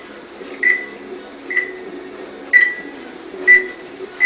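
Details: Two-year-old captive African grey parrot, a talking bird, at a reptile breeding facility, giving short, clear, beep-like whistled pips on one steady pitch, about one per second, over a faint indoor hiss; cricket chirps in background.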